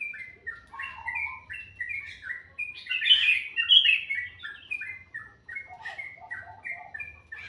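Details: Bird singing sweetly in the morning: quick short whistled notes stepping up and down, a brief louder burst of tangled chirping, then more rhythmic falling whistles.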